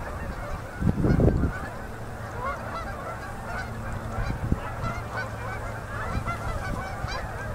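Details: Distant chorus of Canada geese gathering on a river in Manitoba, Canada, at an October 2018 sunset during fall migration; a steady wash of overlapping honks, with one loud low burst near the first second and a faint steady hum.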